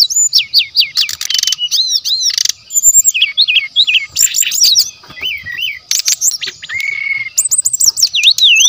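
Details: Wild forest brown-chested jungle flycatcher singing in nature, used as a lure and master training song. Varied high looping whistles and sharp bursts, a flat sustained whistle near the end, then more swooping phrases.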